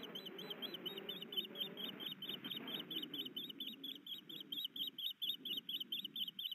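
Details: Osprey at a nest in Hellgate Canyon, Missoula, Montana, on 29 April 2019 around 17:23, as the male brings a fish and the female broods. A rapid series of high, squeaky chirps repeats about twice per second over a low rumbling background.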